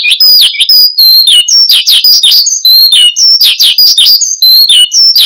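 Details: Horsfield's bush lark kept as a cage bird, lure and tutor song: short bursts of high slurred whistles and sharp chirps, about two to three phrases a second, with brief gaps between.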